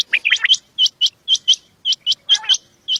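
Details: Quail (batair) at evening time in a hunting setting, giving sharp, high chirps, mostly in quick pairs, repeated about once a second over three seconds against a quiet background.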